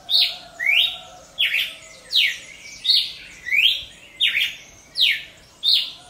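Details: Singing cardinal of the genus Paroaria in nature: bright whistled slurs, some downswept and some upswept, repeated steadily about every 0.7 seconds, loud and clear against light background hiss.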